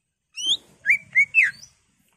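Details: Greater green leafbird singing emotionally charged 'gacor' song full of 'ngentrok' fills, meant to provoke caged leafbirds: a long rising whistle followed by three short, bright whistled notes, the last sliding downward, over a faint low murmur.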